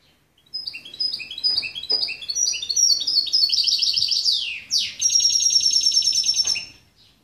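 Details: Hybrid goldfinch x canary mule, 2013, delivering a fast chattering song: rolling high trills, a sharp downward swoop midway, then a long, even, rapidly pulsed trill lasting nearly two seconds.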